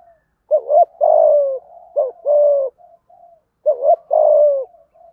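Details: Low-voiced 'thổ' spotted dove cooing 'thúc gù' style. Three repeated phrases, each a short two-part wavering note then a longer mellow coo sliding slightly downward. Soft quiet notes fill the gaps.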